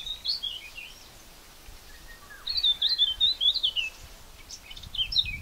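Eurasian blackcap singing short bursts of rich, fluting warbled notes, a brief phrase, a pause, then a longer tumbling run, over faint background hiss.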